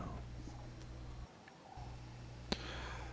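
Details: Quiet indoor hum broken by a brief pause and a single sharp click, with no animal calls.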